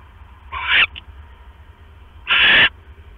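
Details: Owl at the nest around 11:21 PM, 5 October 2015, during a rat delivery by the male to the egg-sitting female. Two rough, hissy screeches nearly two seconds apart, the first rising in loudness, with a brief extra note.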